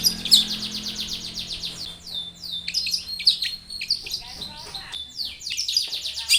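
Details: Long-tailed shrike in lively varied song, meant to coax other shrikes to sing; fast rattling trills and downslurred whistles, a quieter gap, then bright chips and renewed rapid trilling.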